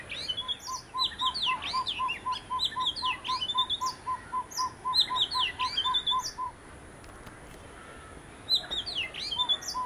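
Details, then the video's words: Oriental magpie-robin, one of a visiting pair, singing varied high whistled phrases with quick rising and falling slurs in bursts. A steady series of low, hollow notes, about five per second, repeats underneath for six seconds. "Magpie Robin - Singing and Behaviour"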